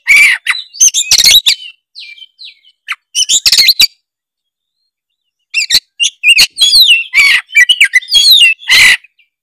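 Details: Oriental magpie-robin, a kept songbird in full loud song, used as a lure to spur other magpie-robins to sing: bursts of harsh scratchy notes and sweet whistled phrases, a long pause, then rapid varied chattering and whistles.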